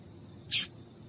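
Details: A single brief, bright chip from a female double-collared seedeater, a call described as making males sing, heard once in the middle against a low, quiet hiss.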